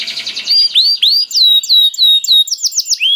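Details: Canary singing as bait to get other canaries singing: a soft blurred opening, then a run of clear, high swooping whistles repeated rapidly, roughly four per second.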